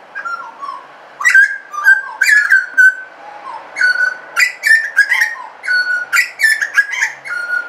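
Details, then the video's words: Suburban butcherbird giving a run of fluting whistles, steady piped tones broken by quick falling slurs, phrases repeated about every second with no other clear sounds. "BUTCHERBIRD SOUND IN SUBURBIA suara burung jagal"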